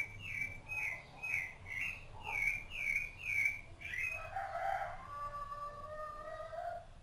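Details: Rufous-bellied thrush tending its chicks: a rapid series of seven or eight clear, repeated slurred notes, then longer, lower whistled phrases that fall and hold steady toward the end.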